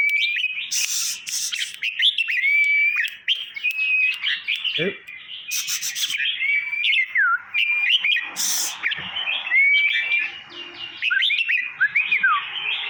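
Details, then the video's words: Caged red-whiskered bulbuls of Trang province, Thailand, singing to rouse other birds: a long stretch of repeated whistled phrases with swooping slurs and level whistles, interrupted by several sharp rattling noise bursts. "เสียงยั่วนกกรงหัวจุก ให้คึก"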